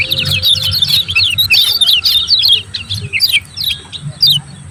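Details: Lemon-bellied white-eye in the "ciak ciak" song style, played to stir reluctant birds into singing and to call a rival: fast, jumbled, high twittering notes with sharp chirps, over a low background hum.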